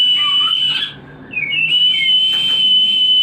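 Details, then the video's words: White-rumped shama song used to stimulate breeding readiness: long sustained high whistles, briefly broken by a short gap, then a slurred dip and another steady whistle, with faint rapid notes beneath. "Pancingan untuk burung Murai Batu Breeding / menaikkan birahi"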